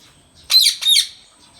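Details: An Indian rose-ringed parakeet (Psittacula krameri), a talking pet, gives two harsh, raspy, high squawks in quick succession, each about a quarter second, in an otherwise quiet room.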